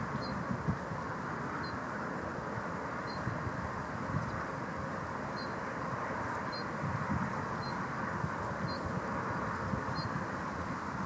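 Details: Little ringed plover calling at the Blato gravel pit on the Sava–Odra canal, Zagreb, Croatia, on 8 May 2015: short, high, slightly falling whistled notes about once a second, over a steady low rumble of wind or distant traffic.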